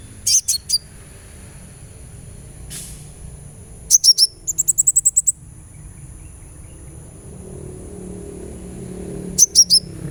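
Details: Therapy sound of a sunbird meant to make a bird sing: scattered high thin chips and a quick trilled burst of rapid ticks, with soft low rumble and faint background noise between notes.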